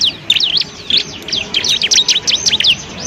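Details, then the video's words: A bar-winged prinia gives swooping, slurred high chirps, some rising and others falling, in a quick loose series intended as training song for other birds. "masteran burung ciblek"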